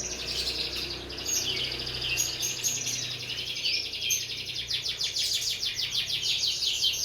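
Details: Tutor song for training cage birds: a steady high buzzy trill with rapid repeated notes, growing denser and more rhythmic in the second half, over faint background hiss.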